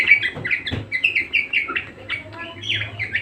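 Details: Budgerigar warbling eagerly: a dense, rapid stream of high chattering notes and slurred chirps with no pauses, against a low background hum.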